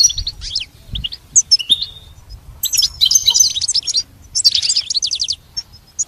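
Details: Goldfinch singing for song lessons aimed at a pet goldfinch: scattered high chirps and short whistles, then two dense runs of rapid, liquid twittering, over a quiet low background hum.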